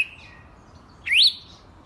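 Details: Wild red-cowled cardinal giving a single loud, bright whistled note that sweeps sharply upward and then dips slightly, standing alone against a quiet, faintly hissing background.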